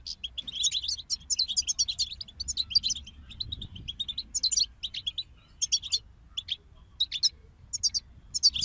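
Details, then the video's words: European goldfinches in a group, singing as motivation for songbirds. A dense, fast twitter of high chirps and liquid trills flows almost continuously, broken by short gaps. "King of Songbirds Goldfinch Group Motivations for Songbirds"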